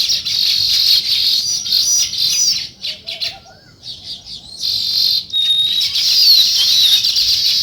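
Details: Sparrows chirping on a morning: a loud, continuous chatter of high, bright chirps, briefly dropping away to a near pause before resuming at full strength.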